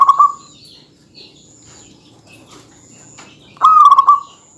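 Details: Local zebra dove singing to goad a rival: a brief pulsed coo at the start, then a near-silent gap with faint high tones, then a louder trilling coo that sinks slightly as it ends.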